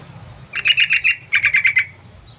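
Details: Lure recording of a yellow-vented bulbul, used to draw birds into calling: two bursts of rapid, evenly spaced harsh chatter, about five notes each, separated by a short pause over a faint low background hum.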